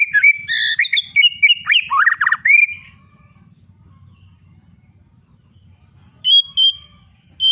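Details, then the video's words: White-rumped shama singing to stimulate other birds: quick varied whistles, harsh chatters and sliding notes for under three seconds, a long quiet gap, then two clear whistled phrases near the end. "suara penggugah Burung murai batu"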